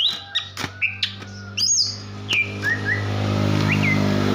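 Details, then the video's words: Calling female greater green leafbird, its voice used to stir a male's breeding urge: a run of sharp clipped notes, then several loose falling whistles, with a constant low engine drone underneath. "KICAU CUCAK IJO BETINA GACOR || NAIKAN BIRAHI JANTAN"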